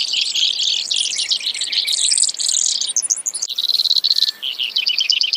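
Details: Brewer's sparrow delivering a long, high, buzzy song of rapid trills that shift pitch and speed, with a quicker, higher rattling phrase after a brief break midway.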